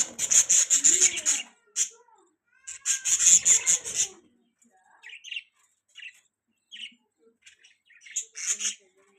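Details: Budgies chirping: two long, loud bursts of rasping, buzzy chatter, followed by scattered short squeaky chirps and a final rasping burst.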